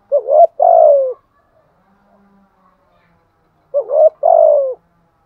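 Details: Two identical phrases from a spotted dove singing giọng thổ: a quick rising two-note lead-in followed by a drawn-out falling coo, with nearly three seconds of quiet between them.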